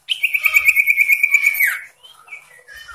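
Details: {'caption': 'Varied, insistent sooty-headed bulbul song used to provoke rivals: a loud, rapid rattling trill of steady buzzy pulses ending in a downward slur, followed by softer scattered whistled notes.'}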